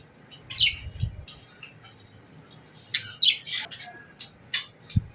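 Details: Pet budgerigars (parakeets) chirping in the morning, in scattered bursts of high, scratchy squawks and chatter, clustered near the start and in the last two seconds, with a low thump near the end.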